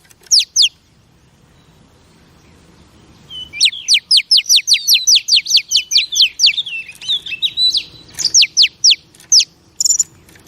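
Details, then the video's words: Oriental magpie-robin female, sounds used to stir up male birds: a few sharp notes, a pause, then a fast run of high downslurred strokes mixed with warbled whistles, ending in scattered notes. "Chòe Than Mái Kích Trống Phê Tận Não"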